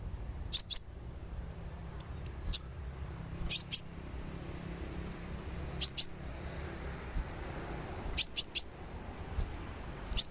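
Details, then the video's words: Sunbird therapy sound aimed at making a bird sing: scattered piercing high chirps, some single and some in twos or threes, irregularly spaced over soft background noise. "suara terapi kolibri supaya gacor"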